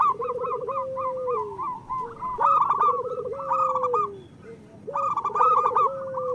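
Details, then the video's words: Zebra dove from local stock sings long, steady, mellow coos with brief rolls, repeated about every two to three seconds. The recording is used as a lure for lazy caged birds. Loud higher calls of other birds come in bursts. "Perkutut lokal gacor Masteran Perkutut Suara Kristal"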